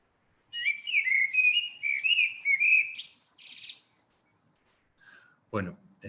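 A Eurasian blackbird sings one unhurried, mellow fluted phrase that ends in a high, squeaky twitter, followed by a brief knock or thump.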